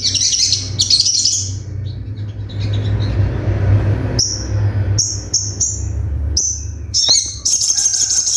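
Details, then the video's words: Little spiderhunter in a training recording: a scratchy burst, a pause filled with low rumbling noise, then short, sharp, high whistles ending in a fast trill. "MASTERAN SOGON FULL TEMBAKAN TAJAM"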